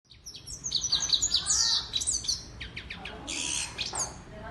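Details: Female European goldfinch, locally called saira, singing: a fast, high twittering of short chirps and trills with bright liquid notes, briefly pausing before a few more tinkling phrases.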